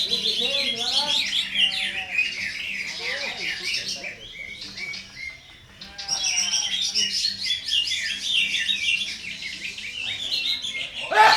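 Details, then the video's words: Green leafbird song from a contest-training recording with rough 'shot' phrases: a continuous, varied, high twittering torrent with quick buzzy notes, a brief pause midway, then renewed loud chatter and a sharp burst at the end. "CUCAK IJO,MASTERAN CUCAK IJO lomba FULL TEMBAKAN KASAR,KOMBINASI"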